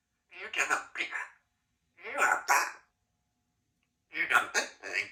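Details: Young female Congo African grey parrot, two years old, a pet, talking: three short bursts of clear speech-like phrases, each about a second long, separated by silences.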